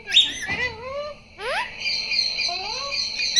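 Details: Pet parrot being taught to talk with the words "mitthu mitthu": short rising, harmonic voice-like glides, then a sharp upward sweep and a steady high buzzy tone, with faint chirps alongside.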